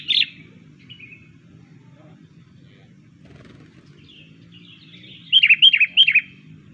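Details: Kutilang, the sooty-headed bulbul, heard in a bird-luring recording: one clear whistled note, a long quiet gap with faint chirps, then a rapid run of four bright, bouncing notes near the end, with a low background hum.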